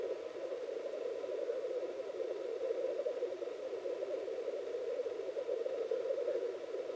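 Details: Black grouse lekking at dawn in Finland, where two males posture at each other and then fight: a steady low bubbling chorus rolling on without pause into one continuous murmur.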